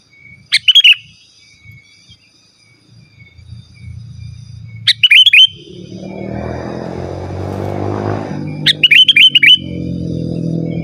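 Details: Sooty-headed bulbul singing vigorously, used to call rivals and lure wild birds: three short phrases of bubbling whistled notes spaced about four seconds apart, over a growing low rumbling hum like an engine.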